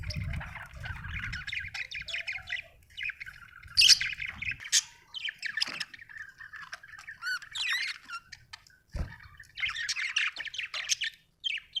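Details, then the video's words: Budgie chirping and squawking in uneven bursts of buzzy, scratchy notes with short gaps, one loud sharp squeak early and a low rumble fading out partway through. "Australian beautiful birds sound 😍 budgie chirping sound 🥰"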